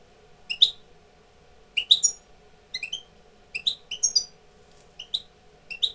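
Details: European goldfinch tutor bird coming into breeding condition; scattered short high chirps and twitters in loose groups, over a faint steady low hum.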